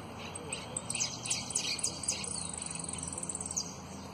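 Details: High, rapid trilled phrases from a prize-winning competition saffron finch, sharp notes stacked over about three seconds then fading into a fast, thin chatter; prio, golpe y pitadas style over a soft background hum.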